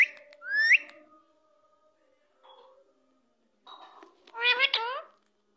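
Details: Green parrot saying 'Mia Mithu': a rising whistled note, a long pause, then a short burst of harmonic, voice-like syllables.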